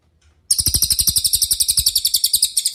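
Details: Cililin master song used to train songbirds such as Murai Batu, Cucak Ijo and Kacer: a fast, clear trill of about twenty sharp, high chirps over two seconds, evenly spaced and steady in pitch, with a quiet background.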